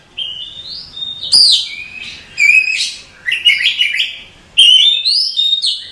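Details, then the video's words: Oriental magpie-robin masteran: a soft whistled intro, then loud sharp notes, rapid stuttering trills and chattering bursts, ending with a bright rising-and-falling whistle. "Suara Masteran Kacer"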